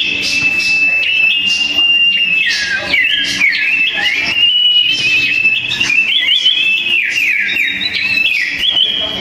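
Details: Fierce singing duel of two sooty-headed bulbuls; a loud, unbroken flow of whistled phrases, fast chattering trills and falling-then-rising slurs.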